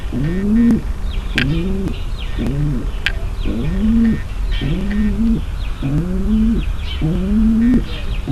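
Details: Female pigeon calling to get the male ready for mating. About eight low, bowed coos follow one another steadily, each under a second long, while faint high chirps flicker in the background.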